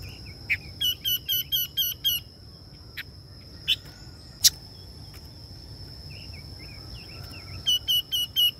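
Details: Female Red-billed Leiothrix calling to excite males: bursts of six to seven quick, sharp, evenly spaced chirps near the start and again at the end, with scattered single notes between, over a steady high electrical whine and low rumble.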